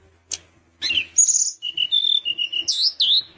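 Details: Sunda minivet, described as singing eagerly. A sharp high note is followed by a chain of steady, thin whistled notes held at one pitch, ending in two louder ringing upsweeps against a quiet background.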